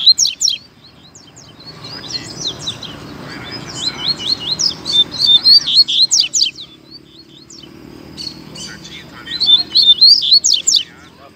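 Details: Coleiro, or double-collared seedeater, singing during a 2019/20 season song contest between two birds: repeated volleys of fast, sharp, high twittering notes and slurs, several bursts with brief gaps, faint human voices in the background.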